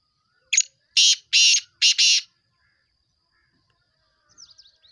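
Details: Black francolin giving its loud rasping call: a short opening note, then three long harsh grating bursts close together, followed by silence and faint high twitters at the end.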